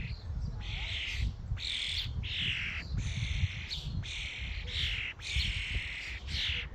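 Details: Squawking common starlings at a feeding station give a rapid series of coarse, buzzy screeches, about eight in under seven seconds, over steady low rumbling noise.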